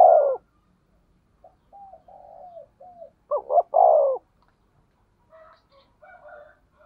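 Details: Spotted dove with a 'thổ sấm' style voice, used to lure and stimulate other doves. A trailing hoot, then quiet wavering coos build to one loud phrase of two short notes and a long falling coo, with faint higher coos afterward.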